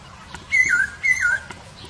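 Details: Wild masked laughingthrush giving two loud whistled notes, each starting high and sliding down, about half a second apart, against a faint low rumble.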